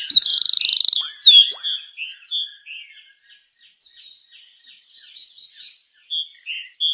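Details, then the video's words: Sunrise song of a bird on dry wood: a loud buzzy trill and bright whistles open, then soft scattered high chirps continue quietly. "چڑیا کی چہچہاہٹ اور سورج نکلنے کا دلکش نظارہ | Beauty Morning with Chirping Bird"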